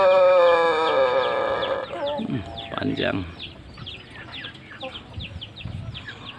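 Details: Crow of a Pelung chicken with very long wattles: a sustained, richly harmonic tone that drifts slightly downward and breaks off near two seconds. Soft clucks, low thumps and scattered chirps of small birds follow.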